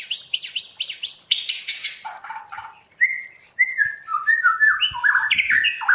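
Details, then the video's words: White-rumped shama, trained to sing in wild-style voice, delivers rapid high chattering notes followed by a series of clear sliding whistles, continuous and varied. "Luyện choè lửa hót theo giọng rừng hay"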